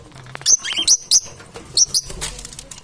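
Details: Parrots described as competing for survival, giving short, sharp, high squeaky chirps in quick bursts of two or three, with brief pauses between bursts and faint background noise.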